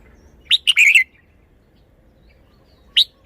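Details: Red-whiskered bulbul in a cage showing its singing: one lively phrase of a high chirp and a rapid rolling warble that drops in pitch, then after two seconds a lone sharp call note.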